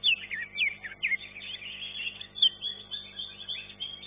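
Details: Competing green leafbird, third-place winner, producing a continuous stream of high twittering and swooping whistled notes with regular louder accents throughout.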